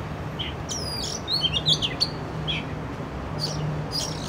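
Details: Urban Oriental magpie-robin captured on a Canon R6: a melodious burst of rich whistled notes mid-clip, framed by high sliding whistles and sparse chirps, over steady low background noise.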